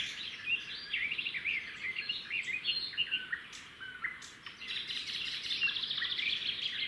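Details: Red-backed shrikes at their nest, 13 June 2016; the male brought a grasshopper and the female fed it. A steady run of high, scratchy chattering and squeaky twittered notes, dense and unbroken, with a few dry clicks.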